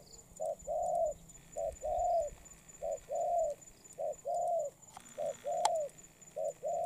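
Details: Spotted dove, a bird that is moulting, cooing steadily: each phrase a short note followed by a longer mellow hoot, repeated about every 1.2 seconds, with faint background noise and one sharp click.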